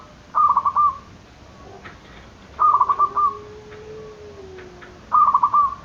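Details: Zebra dove cooing meant to provoke rivals to call: three evenly spaced phrases of rapid trilled notes with a held tail, about every two and a half seconds, plus a faint low steady tone between them.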